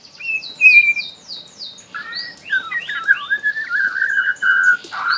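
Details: Young wild shama from Borneo, a fledgling used to prompt singing in other shamas; fast falling high sweeps, then a long flowing whistled phrase with slurred loops, ending in a sustained clear note.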